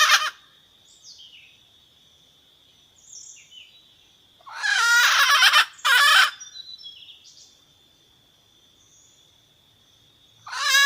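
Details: A wild red junglefowl hen calls to summon the rooster. Two loud, raspy, ringing notes arrive close together midway, with another starting at the end. A continuous high-pitched insect drone and faint distant chirps fill the gaps.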